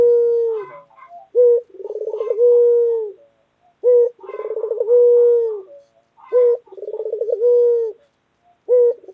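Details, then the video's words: White local collared dove, a loud and eager pet bird, cooing in a steady cycle: brief low note, quick rippling series, then a drawn-out even coo, about every two and a half seconds. "Puter Lokal Gacor Suara Keras | Pesona Suara Kicau Burung Puter Putih Gacor Dor Yang Menawan"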